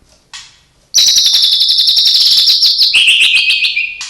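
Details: Caged white-rumped shama with mimicked song: a short note, then a loud, rapid, high pulsing trill that steps down lower near the end, ending with another burst.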